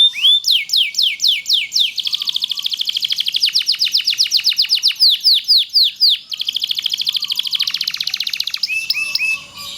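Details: Long-duration canary song of the loper type, used for tutoring other canaries: loud downslurred whistles repeated in quick series, then dense fast rolling trills, ending with sharper chirps, no other sounds.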